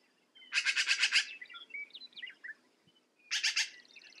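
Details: Black-billed magpie giving a harsh, rapid chatter of about seven rasping notes, a short pause filled with soft squeaky notes, then a second briefer chattering burst.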